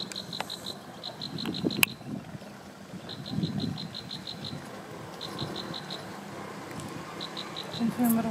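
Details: Plain Prinia (Prinia inornata herberti) in Samut Prakan, Thailand, 4 Oct 2018, gives quick trains of six to eight thin, buzzy, evenly spaced notes every second or two, over a low rumble of distant traffic.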